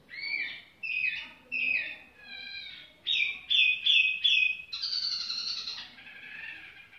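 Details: Tiểu mi bird singing at a leisurely pace: a varied run of clear whistled phrases, some slurred and warbling, then four quick repeated bright notes and a longer rich trill, with faint background rumble.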